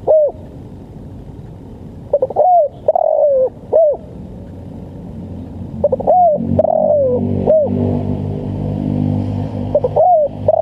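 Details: Spotted dove cooing for use in training and luring birds: a phrase of short stuttered notes, a drawn-out slurred coo and a clipped final coo, repeated three times, over a steady low engine-like rumble.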